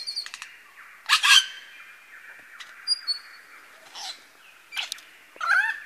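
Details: Lyrebird, a male, at Masons Falls in Kinglake National Park, mimicking various birds: scattered loud bursts of harsh, broad chirps and short whistles between quieter gaps, over a steady high background hiss.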